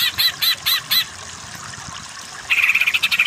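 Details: Greater green leafbird masteran tutor song, meant to turn low-powered cucak ijo into vigorous kejer singers; four spaced, bright chattering notes, a pause, then a rapid buzzy trill of quick repeated pulses.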